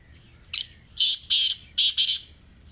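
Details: Close-range call of a black francolin in Pakistan: a clipped first note leads into four strident, hoarse notes, the last two tightly paired, all in one rapid phrase.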